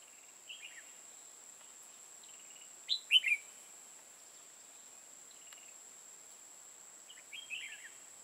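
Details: A red-whiskered bulbul singing as a trapping decoy in Hòa Bình, Vietnam gives one loud, quick warbled phrase midway, with softer chattering notes before and after and a steady shrill hum in the background.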